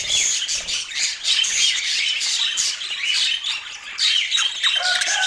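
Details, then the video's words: Several budgerigars warble and squawk together in a steady, dense babble of high notes. Near the end a lower, clearer chirp stands out. "Dieser Sound macht Wellensittich Vogel verrückt"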